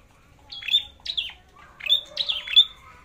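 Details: Red-headed flowerpecker in singing competition, tested for spirit before a forest trip: several high, sharp, downslurred chips with whistled tails, coming in uneven pairs, plus a faint low note underneath.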